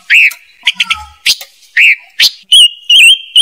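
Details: Silver-eared mesia lure sound for traps: upslurred whistled notes and short chips at uneven intervals, then a run of wavering clear whistles over a steady high tone.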